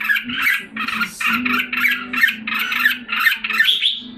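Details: Red-whiskered bulbul, caged in Singapore in July 2017 while recovering its form. A string of harsh, blocky chattering notes repeats several times a second, ending in a higher rising note, with a low hum underneath.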